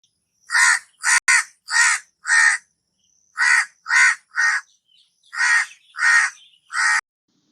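A crow gives harsh, rasping caws, about eleven in three bursts of four, four and three, each note broad and grating, roughly two per second.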